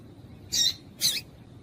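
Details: Female double-collared seedeater (papa-capim) call, used to excite the male into singing: two short, high, hissing chips about half a second apart over a faint low hum.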